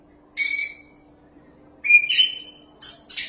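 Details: Oriental magpie-robin, a champion bird singing vigorously and fit for tutoring other birds, gives three brief bursts: a buzzy, rich note, then a pure whistle stepping upward, then a sharp high rasp, over a quiet background hum.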